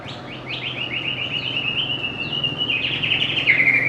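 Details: White-rumped shama, known for a melodious, varied song and for copying other birds; a rapid run of repeated high chirps merging into a sustained even whistle, ending in a harsher warbled burst, with a low steady hum beneath.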